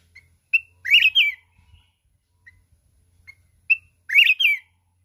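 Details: Mountain red-whiskered bulbul singing hard in contest style with a wild forest voice called kít bổi, flapping its wings nonstop. Two bright warbled bursts with rising and falling whistled notes, each led by short clear chirps, about three seconds apart.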